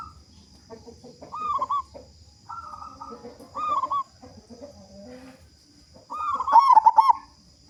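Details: Local zebra dove with a big voice, a lure recording meant to prompt other doves to sing quickly; soft low coos and scattered notes lead to a loud rapid burst of pulsed cooing near the end, with a steady high electrical whine.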